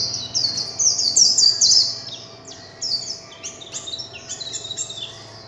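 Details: Warbling white-eye in líu chòe song, a fast high warble of tumbling downslurred notes that loudens early, then breaks into looser, softer twitters toward the end.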